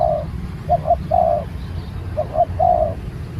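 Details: Spotted dove under training as a new bird: one long coo, then two phrases of brief double notes ending in a drawn-out rolling coo. Low hum in the background.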